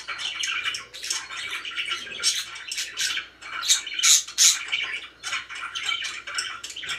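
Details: Happy pet budgerigars in a noisy chorus of fast scratchy chirps and squawks, several loud high shrieks in the middle, constant overlapping chatter.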